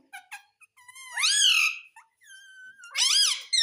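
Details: Talking rose-ringed (ringneck) parakeet saying "mummy": short harmonic chirps, then a loud arching nasal phrase, a pause with a thin rising-falling tone, and a second strident, downward-bending phrase near the end.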